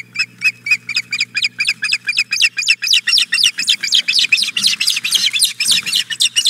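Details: Female osprey at the Hog Island Boathouse nest, morning of 4 May 2017, begging for the fish the male just brought. Rapid run of sharp whistled chirps, about four per second, growing louder and shriller toward the end, over a steady low hum.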